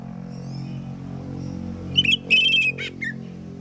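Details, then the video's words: Oriental magpie-robin in the morning, singing a loud phrase to make others of its kind answer. The bird gives a quick whistled flourish, a long shrill steady whistle, a buzz and a low falling note over a droning hum. "KACER gacor NGEPLONG di pagi hari BUAT KACER lain NYAUT"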